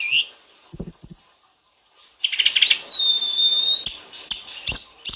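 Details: Vigorous, richly varied song of a snowy-browed flycatcher, meant to stimulate other birds to sing: high chirps, a short trill, a pause, then a long pure falling whistle and scattered sharp clicks.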